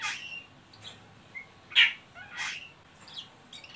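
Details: Ngeriwik calling of an Oriental magpie-robin, used as a lure to get untrained birds singing: a few scratchy high notes, a brief whistle, then one loud, harsh burst followed by softer chattering.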